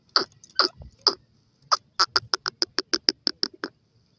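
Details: Black francolin chicks in forest giving a string of about thirteen short, harsh notes, the first few widely spaced, the rest quickening into a steady rapid series, over faint low rumbling.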